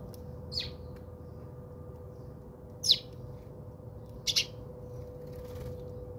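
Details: House sparrows at a home in South Africa, bathing; a few short, sharp high chirps spaced well apart over a steady low hum.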